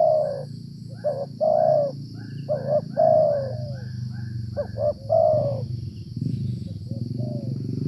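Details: A wild Spotted dove in the rainy season, when few wild birds call; a calling bird is usually the area's dominant male. It gives soft, low, hollow coos in short rolling phrases over a high insect drone and low rumble.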